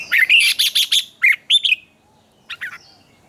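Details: Red-whiskered bulbul giving morning competition singing, used to train and stir up other birds: a fast burst of bright, buzzy, warbled notes, then two short emphatic phrases and, after a pause, a brief softer pair of chirps.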